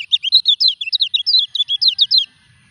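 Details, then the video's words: Moulting Lemon-bellied white-eye producing a swift, tightly packed sequence of high, down-slurred and rising chirps for a little over two seconds before falling quiet. "KECIAL KUNING NGURAK TETAP EKSIS"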